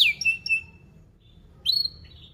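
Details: Canary from a lure recording for training young canaries: two brief, clear whistled notes, one falling, one rising then fading, separated by quiet.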